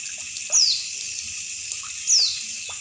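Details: Two high, thin downward-sliding whistles from a female Oriental white-eye, about one and a half seconds apart, set over a loud background of trickling water, played to stimulate kept birds.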